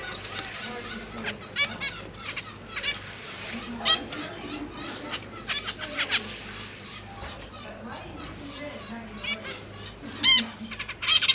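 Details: Caged zebra finch parents feeding their babies, three juveniles and three newly hatched, 25 January 2023, GoPro Hero 8: scattered sharp chirps and nasal notes from several birds, with a loud burst of harsh begging near the end.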